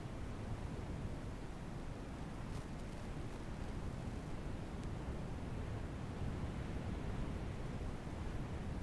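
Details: Wind rushing over the microphone with a few faint clicks and no animal calls.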